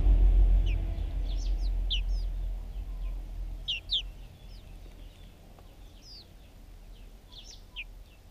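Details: Backyard chicks eating food, filmed on a GoPro; high, thin descending peeps come in scattered bursts, loudest in the first half, over low rumbling background noise.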